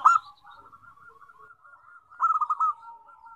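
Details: Perkutut, local zebra doves, answering one another in song: a sharp opening note, a faint drawn-out cooing trail, then a brief burst of about five quick pulsed coos near 2.2 seconds.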